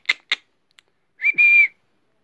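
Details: Pet Alexandrine parakeet indoors giving a loud, clear whistled note, steady and slightly wavering, after two short sharp clicks.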